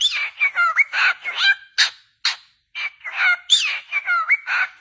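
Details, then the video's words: Cockatiels singing happily, with clear warbling phrases of bent, sliding whistles mixed with rough chirps, in bursts separated by short silences, including a near-silent gap around two seconds. "Calopsitas cantando muito feliz"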